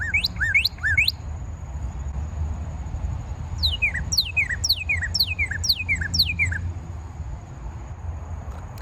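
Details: A Northern Cardinal, a red bird that stays through winter rather than migrating, whistles three quick downslurred notes, pauses, then a faster run of about eight clear falling slurs, over a low steady hum.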